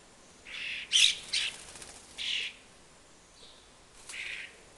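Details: Young common starlings from a nearby high nest beg around a fat ball while following their parents, giving harsh, rasping begging calls in about five noisy bursts over a few seconds, spaced irregularly, with little else audible.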